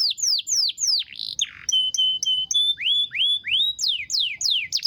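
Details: Canary in long rolling song: quick repeated downward-sweeping whistles, a harsh burst, a run of short even pure notes, then rising and falling slurred whistles.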